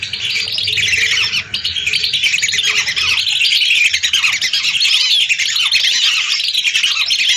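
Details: Hundreds of lesser whistling ducks whistling at once in a lure recording: a dense, high, chattering chorus with a few clearer rising whistles standing out toward the end.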